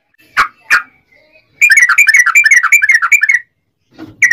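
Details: Yellow-vented bulbul used as a singing lure: two sharp separate notes, then a dense, rapid chattering roll for nearly two seconds before falling quiet, ending with faint low sounds and a new note.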